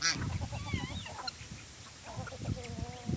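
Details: Among geese and their chicks, a sharp opening honk is followed by wavy, gliding nasal calls and later a long, flat harmonic note, with dull background thuds.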